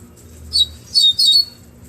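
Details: Afternoon flautado song snippet from a Bahia seedeater in Pero Vaz, Salvador: three short high whistled bursts within about a second, separated by brief pauses, over a low steady hum.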